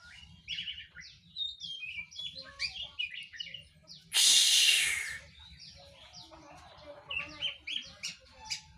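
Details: Young, untrained oriental magpie-robin giving a short run of varied sharp chirps and whistled notes, high and busy throughout, broken by a loud broadband rushing burst for about a second midway.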